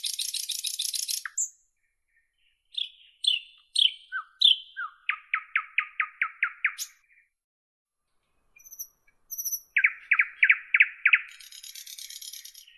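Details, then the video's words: Long nightingale sequence: a buzzy rattle, separate sharp chirps, a fast stuttering run of about eight loud notes, silence, faint high notes, another rapid run and a closing rattle. "Nightingale Birdsong"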